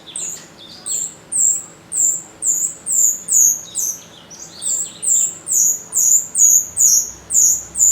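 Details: Lure recording of a jalak rio starling meant to draw replies from other birds: bright, piercing squeaks, each briefly rising and falling, given roughly twice per second without pause.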